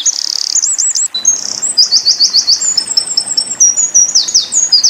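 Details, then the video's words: Eurasian wren pouring out a loud, very high, rapid song of tumbling trills and sharp, fast-repeated notes, with no pause between phrases. "Tembakan Winter Koning / Wren"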